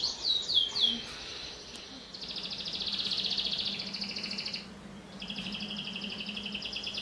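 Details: Canary in vigorous song, used to encourage young canaries to sing: a few quick high sweeps, then long buzzy rolling trills held for over a second each, rather faint against a low background hum.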